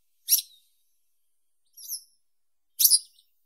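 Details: Western yellow wagtail (Motacilla flava): three brief, high, sharp notes spaced over a few seconds. The middle one is softer and slurred, in clean silence.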